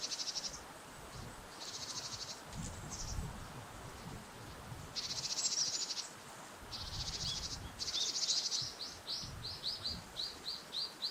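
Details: Japanese tit calling outdoors on an autumn walk by a river, the calls prompting filming: harsh, buzzy high bursts lasting about half a second, repeated irregularly, then a quick series of short chirps, over low rumbling background noise.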